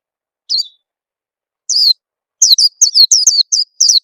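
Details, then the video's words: Young-bird lure call of an Oriental white-eye for encouraging song: two isolated high chirps, then a quick burst of about eight sweet, down-slurred tweets, in clean silence. "suara pikat burung peleci bakalan biyar cepet bunyi"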